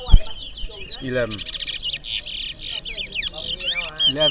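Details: Towa towa seed finches in a singing competition in Berbice, Guyana: dense, fast, high twittering trills and warbled phrases pour out almost without pause. A lower harsh crowing-like call breaks in early, with a sharp knock at the start.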